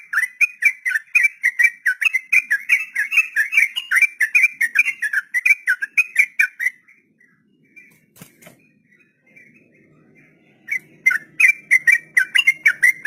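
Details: Sooty-headed bulbul singing a long 'ropel' song meant for training untamed beginner captive birds: a fast run of rolling whistled notes for about seven seconds, a near-silent gap with a faint click, then the rapid notes resume.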